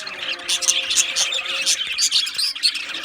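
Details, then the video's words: Australian budgerigars chattering together in an aviary, loud pulsing bursts of high squeaky chirps roughly every half second over a constant warbling background. "Beautiful Australian Budgie birds Chirping Sounds | Budgie birds sounds"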